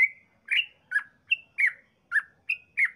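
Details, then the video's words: A lively yellow-vented bulbul sings in a rapid 'ropel' style meant to provoke other bulbuls. Its bubbly, liquid two-tone notes alternate, some falling and some level, at a quick, steady pace, about eight phrases in three seconds. "Trucukan gacor ropel panjang paling ampuh mancing trucukan lain cepat ngropel"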